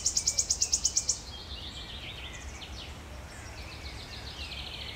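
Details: Wood warbler singing in Djurgården, Stockholm, on 5 June 2021: a rapid run of about nine high, evenly spaced ticking notes accelerating into a brief trill, followed by quieter songs of other birds in the background.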